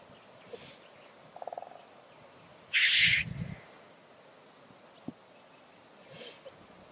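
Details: Black grouse at the lek: one loud, breathy hissing sneeze stands out midway, with a few quieter low bubbling notes before it and soft faint calls scattered around a quiet background.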